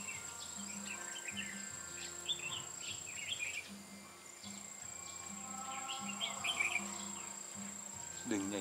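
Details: Red-whiskered bulbul heard at a trapping site on 8 October 2017, repeating lively chirpy, warbling phrases several times, with a steady high insect drone, a pulsing low hum, and a rustle at the end.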